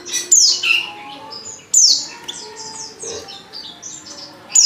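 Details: Female white-eye in heat calling a male, played to spur caged males: sharp, very high chirps sliding downward, repeated at uneven gaps, with softer twittering notes between them.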